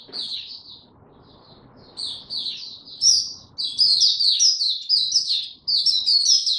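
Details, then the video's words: White-eye song recorded 29 April 2022 from a bird given no health supplements: a few scattered high chirps, then a fast continuous run of sweet twittering notes, with faint low room noise early on. "Mata Puteh Hercules buka sing"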